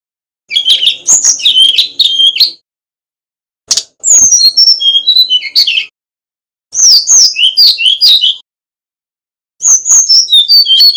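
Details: Brown-chested jungle flycatcher, male, Bali, pouring out four dense bursts of high jumbled whistles and chips separated by pauses of about a second; recorded as a master to encourage birds to sing.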